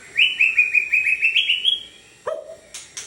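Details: White-rumped shama with a 32 cm tail, kept by a dealer. A rising series of about ten quick whistled notes, then a lower slurred note and a few faint chips over a steady background hum.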